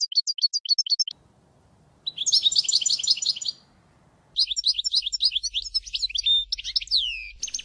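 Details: Song of a Major European goldfinch: a quick run of high notes, a brief gap with faint low background rumble, then rich twittering phrases ending in sweeping slurred whistles.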